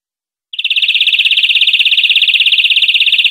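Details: European greenfinch song on a tutor recording meant for training captive birds: one steady, rapid high trill of evenly pulsed notes, about thirteen per second, held without a break for nearly three seconds. No other sounds are present.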